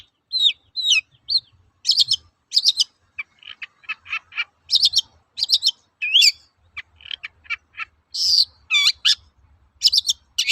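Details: Long-tailed shrike lure song for training birds: a varied, fast medley of squeaky whistles, clipped chirps and slurred notes, closely packed and rich in mimic-like variety.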